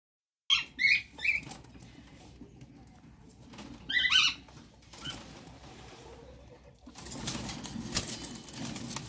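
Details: A pair of cockatiels give short, bright chirping calls in two quick bursts, followed by rustling and flapping noise.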